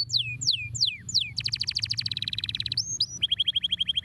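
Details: Canary song played to stimulate lazy birds to sing: several sweeping descending whistles, then a fast buzzy trill of rapid repeated notes, a short steady tone, and a quick series of clipped rising chirps, over a low hum.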